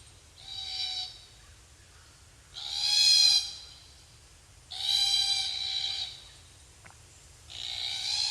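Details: Glossy Black-Cockatoo giving four drawn-out, harsh, grating calls about a second long, spaced every two seconds or so, flight and contact calls of feeding, moving birds; nothing else is heard.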